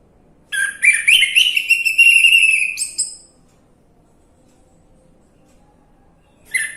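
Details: Orange-headed thrush song played as a lure to make a silent bird sing: a long, loud, rich warbling phrase of about two and a half seconds with rapid trills and slurs, then silence and another phrase beginning.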